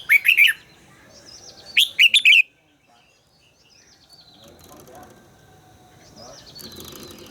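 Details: Red-whiskered bulbul in voice training, two bright warbled phrases early, then quieter distant chirps against a rising background murmur.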